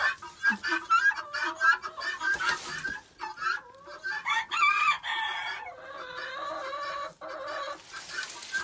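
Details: Penned chickens chatting up a storm while being fed and their pen cleaned, with leaves added. Choppy clucks and rising squawks overlap, then give way to longer, steadier calls.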